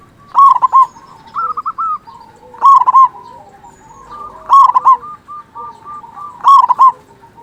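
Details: Zebra dove of local stock with a big voice, played as a lure so other zebra doves sing sooner: loud rolling coo phrases roughly every two seconds, each a quick stuttered burr, with softer answering coos between.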